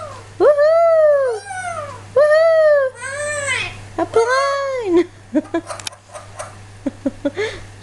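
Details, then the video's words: Pet parrot talking while spotting a 747 aeroplane. It repeats an arched, voice-like phrase four times in about five seconds, each rising then falling, then gives a run of short clicks and fragments. "THE SMARTEST TALKING PARROT 747 AEROPLANE SPOTTING"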